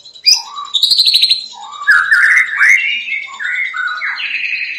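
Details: White-rumped shama delivering a fierce, insistent song said to trigger other shamas: a sharp high note, a buzzy trill, then a chain of fluty slurred whistles stepping upward.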